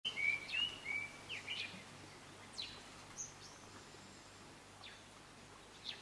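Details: Speckled mousebird (Colius striatus kiwuensis) in Kibuye, Rwanda, March 2013, gives a quick burst of thin, high twittering chirps, then a few faint scattered ticks over a soft outdoor hiss.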